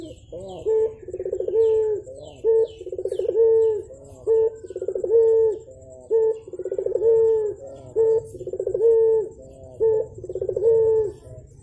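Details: A Javan turtle dove coos steadily in the morning, repeating about six rolling phrases: a clipped note, a fast burring trill and a level low tone. Faint high chirps from other birds appear early on.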